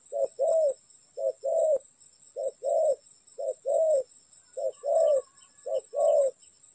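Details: Spotted dove at a trapping site, delivering rhythmic low coos in regular short-long pairs about once a second, with faint higher bird chirps late on.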